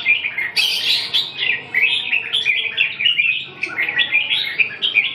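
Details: Lively warbling from a red-whiskered bulbul: quick chirpy notes strung into rolling phrases, a brighter sharp burst near the start, then steady jumbled twittering without break.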